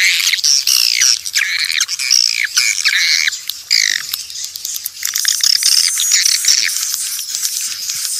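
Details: Swiftlet calls from a natural source, used to draw swiftlets in: continuous high, squeaky twittering, wavering chirps overlapping from several birds, loud for about five seconds before thinning into scattered chirps.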